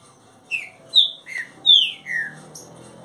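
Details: Young caged Green-winged saltator, about 30 days in training, singing a phrase of five loud whistled notes, alternating high and lower, each sliding downward, with a softer closing note.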